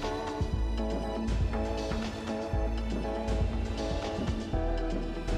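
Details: Rhythmic instrumental music with a steady thumping beat and layered tones, with no animal voice heard.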